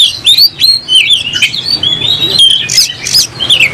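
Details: Agitated oriental magpie-robin, tail spread as it fights, sings sweet, high whistled notes that slide up and down, with short rasping chirps between phrases and a low background hum.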